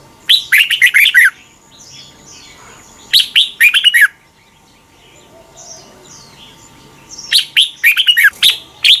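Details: Red-whiskered bulbul teaching recording from Thailand, played mornings to help birds learn: bright, bubbling phrases of several rapid notes repeat roughly every three seconds, with a faint high whistle between them.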